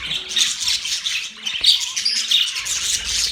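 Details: Short burst of budgie chatter with scratchy squawks and high twittering, a few thin whistled notes cutting through.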